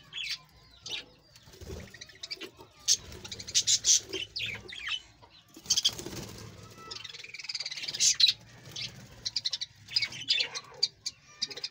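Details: Breeding colony of Australian parrots kept at home, loud bursts of high, scratchy chirping and warbling from several birds, pausing briefly then resuming in busy clusters.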